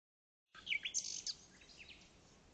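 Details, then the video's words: Unidentified wild bird singing at Pelayos de la Presa, Spain, in a special protection area for birds; a brief, high, rapid twittering phrase of squeaky chirps and buzzy notes starts abruptly, then fades, with faint background hiss. "¿Alguien sabe que ave canta así?"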